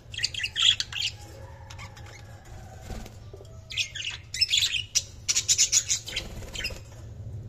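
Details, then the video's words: Budgerigars chattering and chirping: dense high warbled bursts, then a rapid run of clipped squeaky notes repeated several times per second, over a steady low hum. "Budgies Chirping sound"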